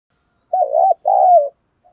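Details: Loud, clear-voiced decoy spotted dove cooing to lure wild birds. One two-part coo: a wavering first note, then a longer, smooth note that falls at the end.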